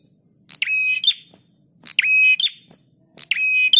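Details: Prinia recorded as a master track for teaching cage birds, giving three strident, grating phrases. Each starts with a sharp rising note, sustains a buzz and snaps off with a higher note, with pauses of about a second.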